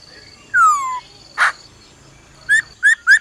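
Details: Female laughingthrush giving a 'ro ro' call to quickly stir up a male: a long clear whistle sliding downward, a short harsh burst, then three brief rising whistled notes close together near the end.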